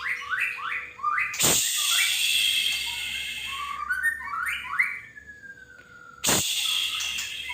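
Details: Male white-rumped shama giving a lure song to get other shamas singing: a run of short rising whistled upsweeps repeated rapidly, then sliding whistles and a long falling note, interrupted by two loud noise bursts.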